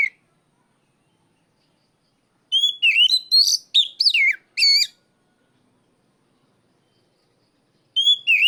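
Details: Oriental magpie-robin calling out a rival with loud ngeplong cries: a rapid burst of about eight clear, swooping whistles and harsh chips lasting over two seconds, then silence, before a new rising whistled phrase starts near the end.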